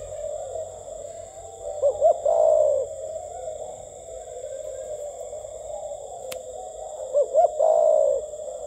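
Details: Spotted dove for sale, a bird cooing in the gù tít manner. Two phrases about five seconds apart, each with two quick rising notes and then a sustained coo, over a constant low background hum.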